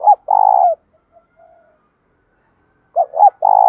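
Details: Spotted dove with a loud, clear 'thổ' voice, cooing to urge fighting and to call: a long, buzzy, steady coo fading off, quiet soft notes, then two short hooked notes leading into another long coo.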